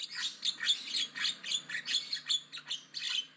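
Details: Javan myna singing aggressively and loudly: a fast run of harsh, scratchy chattering notes, about three per second, with buzzy and squeaky elements, steady through the whole stretch.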